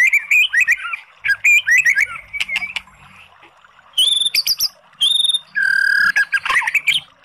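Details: Oriental magpie-robin singing as a lure to spur another bird into song: quick runs of chirping whistles, then high clear notes, ending in a harsh buzzy burst.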